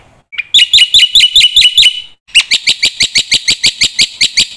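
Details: Black-winged myna master song for training young mynas: a short whistle, then a steady burst of bright chirps, a brief gap, and a longer evenly spaced chirp series at about three per second.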